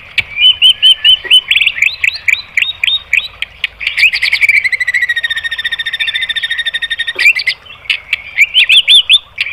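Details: White-rumped shama song for provoking other birds to sing: quick repeated upslurred whistles, then a long rapid rattling trill of even pulses, ending in varied warbled phrases.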